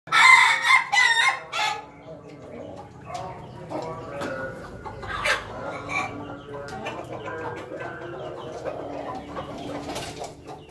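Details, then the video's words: Laughing chicken rooster crowing in the morning: a loud opening burst, then a long run of rapid, cackling, laugh-like notes that fade, with other fowl clucking in the background. "suara ayam ketawa berkokok pagi hari"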